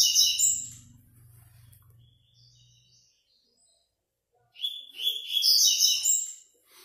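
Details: 6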